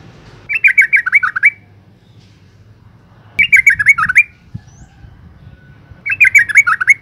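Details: Female yellow-vented bulbul calling to entice males: three repeated phrases of quick, bubbly chattering notes, each about a second long, spaced roughly three seconds apart, with a faint click between.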